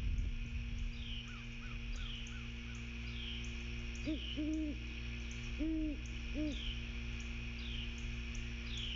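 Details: Territorial calling from a pair of great horned owls on Skidaway Island, Georgia, at dawn, 06:51, 16 September 2023, in trees by a fairway: deep muffled hoots in two short bursts of three, over faint high insect-like chirps and steady hum.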